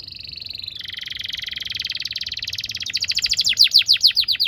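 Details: Canary, a master recording for young canaries: long buzzy rolling trill dropping slightly in pitch, gradually breaking into separate sharp descending chirps.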